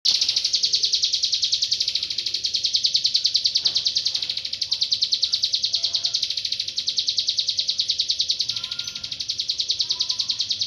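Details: Mountain prinia singing a fast, unbroken series of sharp, high ticking notes, repeated several times a second with a steady pulse, played as a tutor recording to teach caged songbirds; faint lower whistles near the end.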